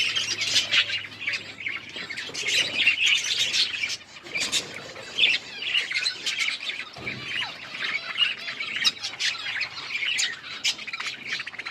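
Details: Budgies in winter rain fill the air with steady dense chirping and warbling chatter, a faint low hum beneath at the start.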